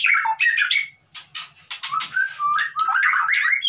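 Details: White-rumped shama singing to coax a mute bird into song: rapid varied phrases of clear whistles, harsh squawky notes and quick trills, a brief gap near the middle, then rising warbled whistles.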